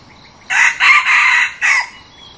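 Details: Red junglefowl used as a decoy bird crowing: one loud, harsh crow in four bursts. A short opening note, two longer syllables nearly run together, then a clipped final note, with faint insect chirping behind.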